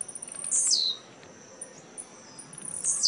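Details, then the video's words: Tournament-singing blue-black grassquit, caged, Jacarepaguá, Rio de Janeiro state, Brazil, November 2017: a sharp high buzzy note dropping steeply in pitch, repeated about two seconds later, faint soft chips between, steady background hiss. "Tiziu CAMISA 10 ' 2° lugar & EXPLOSIVO 4° lugar no torneio de Jacarepaguá"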